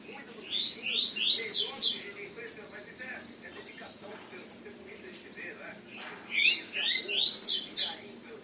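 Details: Mutation-colour double-collared seedeater (Sporophila caerulescens) gives two bursts of quick, high, slurred twittering song notes about four seconds apart, over a low murmur of background voices or noise.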